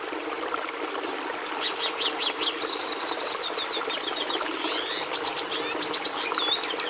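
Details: Red siskin (Carduelis cucullata) singing a rapid, varied twittering song of high chirps, short trills and buzzy notes, with a repeated run of clipped notes in the middle; steady low background hum.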